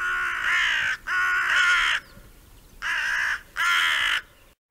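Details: Hooded crow foraging in a meadow among a flock, pecking at an acorn; harsh, grating caws in two close pairs, the first pair long and drawn out, the second pair shorter.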